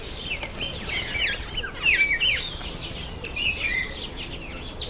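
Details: Masked weavers calling in the breeding months of September and October: rapid squeaky twittering and buzzy chattering, loudest around the middle, fading into scattered chirps.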